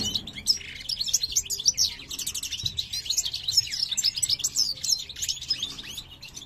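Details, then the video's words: Male European goldfinch (parva) singing to a female at a new nest, captive pair for 2023 breeding; crisp, rapid tinkling notes and scratchy buzzes follow one another densely, with bright ringing accents throughout. "jilguero parva macho cantando"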